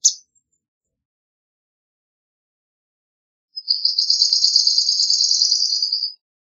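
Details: One short chip from a swamp sparrow, then after a few seconds of quiet a steady, fast trill of repeated high notes lasting roughly two and a half seconds.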